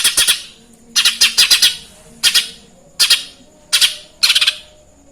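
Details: Lesser green leafbird singing a Eurasian tree sparrow imitation: clusters of two to four scratchy, sparrow-like chirps, repeated roughly every second across the stretch, with a quiet hum behind.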